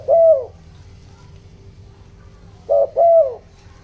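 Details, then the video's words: ["Decoy spotted dove cooing in the 'giọng đồng' voice to stir up wild doves. One long falling coo, a pause, then a paired short-and-long coo, low and hollow against quiet background."] "tiếng chim cu gáy kích bổi, tiếng chim cu gáy giọng đồng ,tiếng chim cu gáy hợp bổi"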